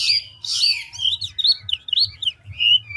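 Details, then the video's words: Ngũ trường Chinese hwamei, old and wild-caught, shifting phrases at speed: two rich buzzy downslurs, then a quick chain of bright warbled whistles rising and falling, with a faint low hum behind. "Họa mi ngũ trường đảo giọng tốc độ"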